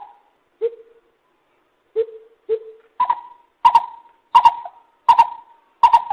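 Lesser Coucal giving short, hollow, resonant hoots, first low and then higher, at an uneven pace and speeding up toward the end.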